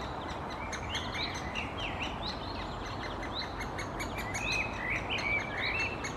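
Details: A great spotted woodpecker nestling calls from the nest hole as the female feeds it, in Helsinki, Finland, June 2021: a steady stream of shrill, overlapping chirps, about two or three a second, over a constant background hiss.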